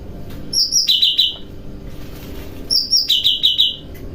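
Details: Cucak rante bulbul bathing at night and singing happily, training kapas, tembakan and besetan styles; a two-part phrase, a high rattling trill sliding to a lower sustained trill, given twice about two seconds apart.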